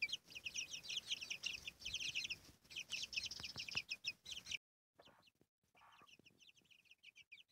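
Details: Chicks with their mother hen, a brooding hen, in the countryside: a dense chorus of high, rapid peeping chirps for about four and a half seconds, then near silence with faint scattered peeps.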